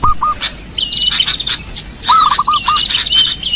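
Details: Lure sound for small birds, with overlapping bright chirps and high twitters, a short string of quick lower notes at the start and again midway, and thin sliding whistles.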